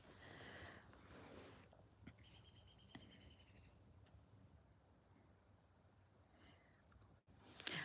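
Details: A young golden eagle, heard but unseen on a rock face, gives a thin, high, rapidly pulsed chittering call for about a second and a half over steady outdoor noise. It is a sunny morning at 29°, with a pair of bald eagles basking nearby.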